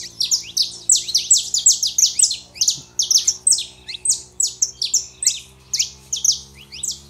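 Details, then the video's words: Male and female saffron finches singing to fire up a quiet canary: an unbroken stream of piercing high chirps, loud and rapid, grouped in pulsing bursts, low background hum. "canário da terra fêmea e macho pra esquentar seu canário frio"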